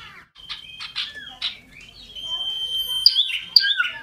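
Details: Scarlet-headed flowerpecker, loud and shrill, hopping while it sings: rapid scratchy notes leading into a sustained level high whistle, ending with sharp upward flicks.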